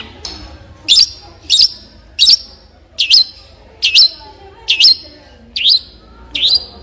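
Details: Long-tailed shrike giving a steady series of sharp, high, swooping notes, each a quick down-and-up slur, repeated about every three-quarters of a second against a quiet background.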